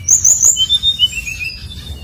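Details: Brief brown-chested jungle flycatcher phrase used to stir other birds into singing: several very high whistles, then a falling series of softer whistled notes.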